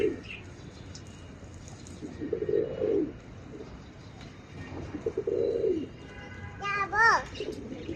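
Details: A pet pigeon in Bangladesh gives low, soft, rolling coos while a child feeds it leaves, with a person's voice talking nearby.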